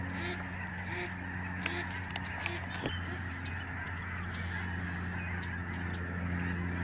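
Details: Spectacular November 2011 flock of Lesser Snow Geese over the Reifel sanctuary in Canada. Clipped honks come in quick uneven bursts above a dense chorus, with a few sharp clicks and a low hum.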